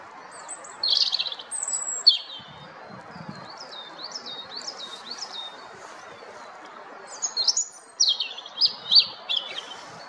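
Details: Song of a European robin: a sequence of high, varied warbled phrases with rapid rising and falling slurred notes, a pause of several seconds midway, then another bright twittering burst, over a quiet natural background.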